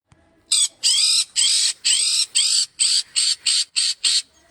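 Harsh, high screeching notes from a red-headed lovebird, about nine in a row, each under half a second, coming slightly faster toward the end.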